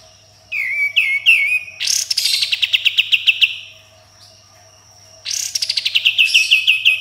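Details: Sooty-headed bulbul singing nonstop in a style full of rapid-fire 'tembakan' and harsh 'besetan'. Quick runs of whistled notes slide down, then burst into a loud rasping rattle of rapid pulses that fades. A steady high tone hums behind.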